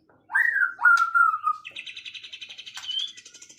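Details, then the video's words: Afternoon bird song opening with two loud whistled phrases that rise and then slide gently down, followed by a fast high buzzing trill that fades out gradually. "kicauan sore hari relaxing Bird sounds"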